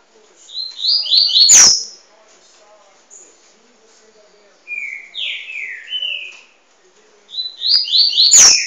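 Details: Double-collared seedeater (coleiro) in song training sings three quick phrases of bright, sliding whistled notes stepping down in pitch, with sharp clicks near the first and last phrases.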